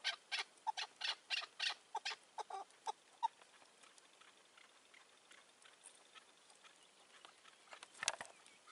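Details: Chukar partridge during a May 2024 decoy partridge hunt with a wild old bird keeping its distance. A quick burst of raspy chuck notes fades out after three seconds, followed by quiet and a sharp knock.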